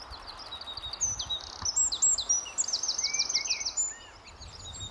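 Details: A Eurasian wren on a branch at RSPB The Lodge, Sandy, Bedfordshire, on an early May 2012 morning before rain pours out a loud, rapid song of high, sharp notes ending in a fast rattling trill, over a soft hiss.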